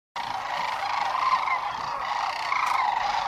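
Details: Sandhill cranes settling for the night on the Platte River near Gibbon, Nebraska, in spring 2015; a steady wall of rolling, overlapping crane calls from a large roosting flock, with no single bird standing out.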